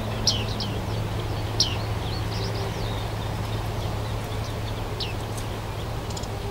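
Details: Young bearded reedlings, males and females, at Rietputten in South Holland: scattered high metallic pings, single or in short pairs, spaced a second or so apart against a constant low drone.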